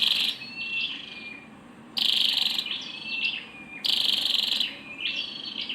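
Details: Female scarlet-backed flowerpecker giving harsh buzzy high bursts roughly every two seconds, separated by short, thin chipping and twittering notes.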